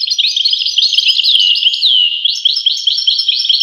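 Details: Goldfinch singing a quick, jumbled twitter of chirps and slurred whistles, including a clear descending note, then resuming bright rhythmic twittering.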